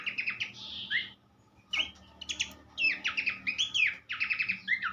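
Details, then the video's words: Master recording of Horsfield's babbler for teaching songbirds: clipped whistled notes and short trill bursts, a pause after the first second, then a sharp note and renewed rapid varied phrases. "vokal mewah sang guru masteran khas pelanduk semak"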